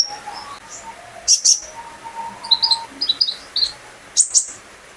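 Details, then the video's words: Pet olive-backed sunbird singing to prompt others: scattered high chirps and a couple of sharp buzzy bursts, with softer lower whistled notes running underneath. "burung konin gacor pancingan terapi burung kolibri ninja agar ikut gacor"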